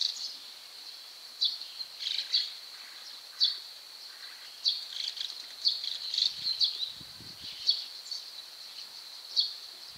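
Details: White-cheeked starlings: two birds repeatedly climb onto a third stuck in a rain-shutter gap, seemingly trying to free it. Short sharp chirps come in irregular bursts over a steady high-pitched hum.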